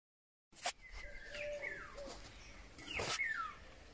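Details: Eurasian golden oriole singing in May 2020: clear whistled phrases gliding down, with a steady low whistle beneath and a sharp call near the end, other birds in the background.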